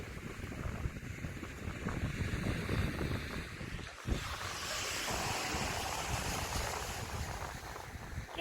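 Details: Wind buffeting the microphone and surf-like rushing, with a faint voice; no animal calls stand out.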